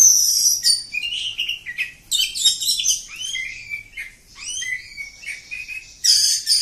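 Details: Village-type oriental magpie-robin singing a long unbroken song: rich high whistles, rapid chattering notes and curving slurred phrases run together, with loud shrill bursts at the start and end.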